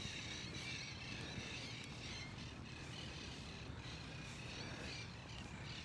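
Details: Steady low engine drone, like a passing propeller aircraft or traffic, with outdoor hiss and no animal voices.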